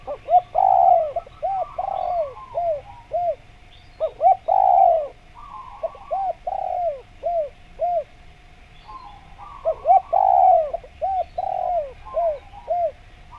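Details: Spotted dove calling persistently to attract wild birds of its kind for trapping. Repeated multi-note phrases: a strong long coo followed by several quick, short descending coos, the phrase recurring about every four seconds.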